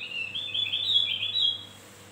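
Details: Javan grey-throated white-eye song used as a lure to attract birds: a fast, continuous run of high, thin twittering notes lasting about one and a half seconds, rising slightly in the middle and then fading, over a faint low hum.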